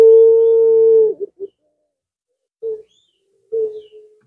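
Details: Zebra dove singing to provoke rivals, a long even low hum ending abruptly, followed by a few short separated coos after a pause.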